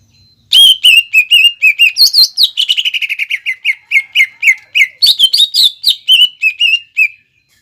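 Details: Energetic greater green leafbird song, 'nembak ngekek' style, used as a lure for young leafbirds to respond and imitate: a long unbroken chain of whistled notes that quickens into a rapid chatter, with higher rising phrases mixed in.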